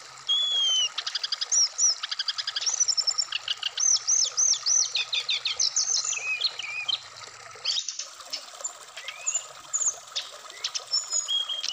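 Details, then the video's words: A Black-throated laughingthrush aired in the dew sings rich, varied phrases. Looping whistles and rapid chip series come about three per second, then pause briefly before more scattered high notes. Faint hiss runs throughout. "terapi srdc biar cepat bunyi wikplong Dan gacor full variasian"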